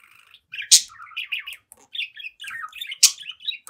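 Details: Seven-month-old pet budgerigar chattering in front of a mirror: steady buzzy warble of quick wavering notes, with two loud harsh squeaks standing out.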